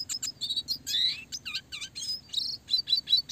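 Red siskin singing a fast, busy twittering song of high chirps, buzzy trills and rising whistles, packed closely together with brief gaps.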